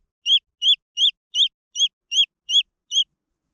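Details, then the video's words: Eight shrill, rising-and-falling peeps from green junglefowl chicks, evenly spaced about a third of a second apart, followed by silence. "The Sound of jungle fowl chicks"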